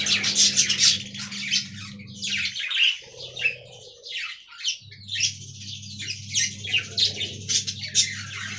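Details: Aviary budgerigars in a colony giving quick squeaky chirps and warbled twitters in uneven bursts, with a short lull early on and a steady low hum behind.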